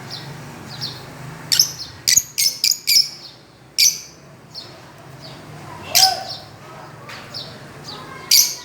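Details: Fischer's lovebirds playing on a swing: a rapid run of four piercing chirps, then scattered single high chirps and soft twitters, separated by brief quiet gaps over a low steady hum.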